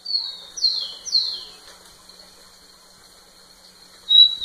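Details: Rufous-collared sparrow singing to a female, three descending slurred whistles at the start, then a long faint steady tone and a brief loud whistle at the end.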